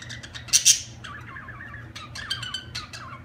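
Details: Budgerigar sounds: two shrill, piercing squawks open the passage, then a quick run of rippling, warbled chirps and chatter.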